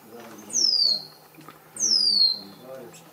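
White-lined Tanager giving two thin, high, down-slurred notes about a second apart, with quiet human speech underneath.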